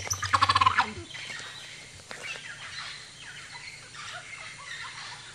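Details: A male ocellated turkey strutting in display at Chan Chich Lodge, Belize, gives a quick burst of about eight hollow, throbbing pulses running into a gobble; faint bird calls, possibly an oropendola, and forest ambience follow.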